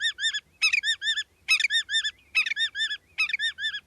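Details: Willet; call; loudly announcing an observer's presence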